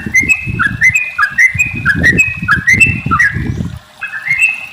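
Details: Sooty-headed bulbul in long rolling song, used as a lure for other bulbuls: clear whistled phrases that drop then climb, repeated about every half second in a steady run, over low rumbling noise with a short pause near the end.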